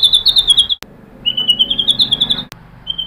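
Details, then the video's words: White-rumped shama (murai batu) lure song meant to provoke rival birds into full singing: high, thin whistled notes in fast rapid series, two bursts separated by short pauses, then a final brief high note. "pancingan MURAI BATU agar bongkar materi TEMBAKAN"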